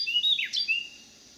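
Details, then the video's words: A Carolina wren, one of a resident pair, sings its cheeriest call on a back deck in St. Louis County, Missouri, on July 26, 2018: a quick, bright burst of loud whistled notes with a sharp downward slur in the middle, then silence. "Carolina Wren singing its cheeriest call"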